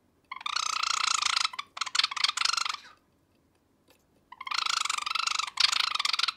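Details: Male sakura (pied) Java sparrow, a pet bird, scolding its owner's finger at night. It gives rapid rattling, trilled kyarururu bursts, each about one to one and a half seconds long, separated by short pauses and one longer silence.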